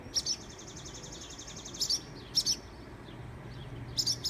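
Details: Barn swallows nesting on a garage security light, with feathered young, swoop and dive-bomb people nearby in high humidity, giving sharp, high, clipped notes in uneven bursts of two or three over a low background rumble.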